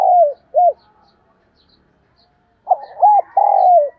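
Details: Morning calling of a decoy spotted dove: end of one phrase with a falling slurred coo and a short hooked note, a silent gap, then a new phrase of rough coos, a hooked note and a long falling coo.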